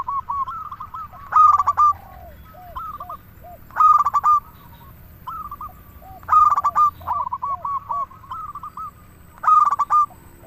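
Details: Several cooing phrases from a local zebra dove singing actively. Loud staccato bursts come roughly every two and a half seconds, with quieter rolling phrases and low soft coos filling the gaps between them.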